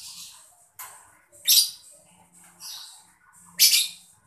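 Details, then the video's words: Mocha lovebird chirping, used to stimulate other birds to sing: two loud, shrill screeching chirps two seconds apart, with fainter hissing, scratchy notes between them. "lovebird mocca gemericik cocok buat mancing burung biar gacor"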